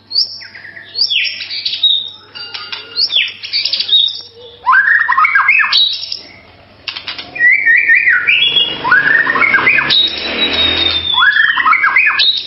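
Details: Melodious White-rumped shama song of harsh scratchy notes and short descending whistled phrases, later a long, thin high whistle over a hissing background.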